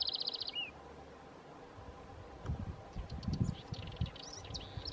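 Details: House Wren (Chercan) at Lago Sofía, Magallanes Region, Chile, gives a quick, high, dry trill and a brief slurred note at the start, then faint high chips over low wind rumble.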